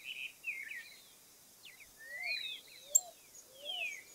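A Cattle Tyrant gives high, thin, squeaky twitters and slurred downward notes in short bursts. Soft, low, rising whistles from another bird repeat in the background.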